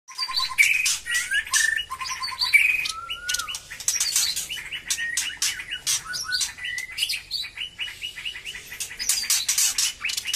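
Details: White-rumped shama, just becoming lively in song after moulting, delivering a rapid, varied stream of sharp high chirps, clicks and clear whistled phrases, including a long sliding whistle, almost without pause over ten seconds.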